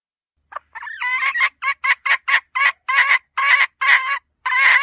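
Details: Hen red junglefowl voice for decoy use: after a short silence, a run of loud, grating, nasal clucks with a slight rising tone begins. The notes are repeated roughly every third of a second, and some are drawn out longer.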